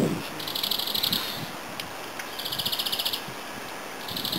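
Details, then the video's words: European greenfinch, a songbird in the Netherlands, delivering fast, high, rattling trills of evenly spaced notes in two long runs with a short break, against a hissy outdoor background. "Groenling / Groenvink (Chloris) : Zangvogel"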